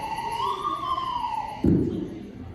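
A screech owl gives a wavering, whistled call that rises slightly, then slides down over about a second and a half, ending in a dull thump.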